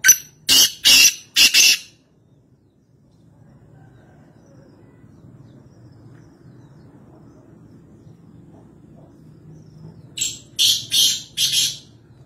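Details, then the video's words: Kala teetar (black francolin) near Nawabshah giving a quick series of three or four rasping, high-pitched notes. Quiet low background hum follows, then another similar harsh burst. "Kala Teeter | High Pitched Chirping Sound Voice | Francolin | Black Partridge"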